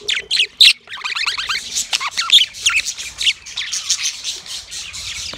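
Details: Yellow male budgerigar making a mating sound: a quick run of sharp, high chirps and short rising squeaks, some dropping in pitch, given in bursts with brief pauses and a soft background hum.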